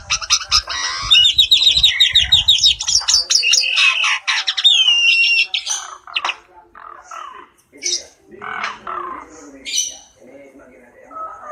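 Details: Asian pied starlings, a pair, in full varied song: dense chattering and squawking phrases at first, then scattered sharp notes, rasps and whistles, quickly delivered and loud.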